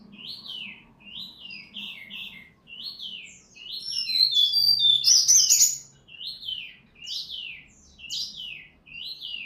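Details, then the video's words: White-rumped shama from Bengkulu, Sumatra, singing steadily: repeated rising-then-falling whistled phrases about every second, broken midway by a louder burst of high rapid notes, with a faint low hum beneath. "SRDC Asli Bengkulu Sumatera Gacor."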